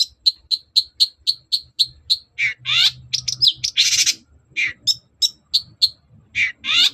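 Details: Long-tailed shrike singing persistently, used as a lure to make other shrikes answer: a run of about ten short, evenly spaced chirps, then harsh, buzzy scratchy bursts and a few final sharp notes.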